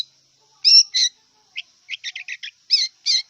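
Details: Song of a wild long-tailed shrike: two scratchy notes, a pause, then a quick stuttering run of short raspy chips and two more harsh notes to finish.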